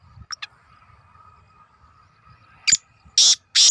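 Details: Black francolin calling: two brief thin notes early on, then after a quiet pause a sharp note followed by two loud, harsh, buzzy bursts close together, with a low steady hum beneath.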